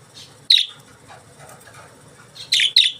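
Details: Budgies give a few sharp, high chirps, one near the start and a tight pair near the end, each a quick bright note over a faint low background hum.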